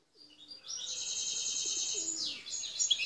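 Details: Wild Algerian goldfinch of the parva form, recorded at Bouteldja, El Tarf. A quieter, long nasal buzzing trill holds steady for over a second. It ends in a sliding note and a few sharp chips.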